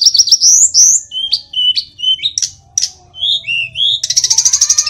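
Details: Sulingan gunung in full song: fast high whistled notes, a run of rising slurs and short sharp chips, ending in a rapid, even trill of high notes.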